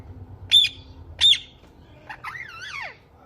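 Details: Ringneck parakeet natural sounds: two loud sharp high chirps about three quarters of a second apart, followed by a wavering, warbling whistle that climbs and drops, over faint low background rumble.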